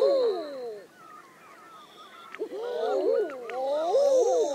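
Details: Common eider: soft, low, drawn-out crooning calls that rise and fall, from several birds overlapping, with faint higher tones in the background.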